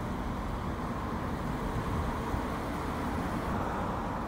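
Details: Continuous broadband road-traffic roar holds steady throughout, with no animal voice breaking through.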